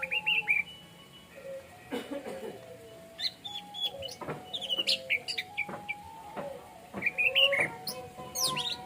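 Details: Orange-headed thrush singing in a relaxed, open style, a series of short clear whistled phrases and sliding notes at fairly high pitch, given in scattered bursts with brief pauses, over a steady background hum and occasional clicks.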